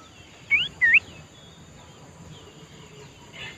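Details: Sooty-headed bulbul heard in the wild: two loud, quick whistled notes, each sweeping upward with a hooked turn, close together near the start, then quiet with faint background hiss and a soft distant call at the end.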